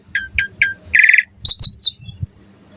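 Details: Asian pied starling singing in the morning to coax other starlings into song: three short chirped notes, a buzzy trilled phrase, then three high down-slurred whistles over a low background hum.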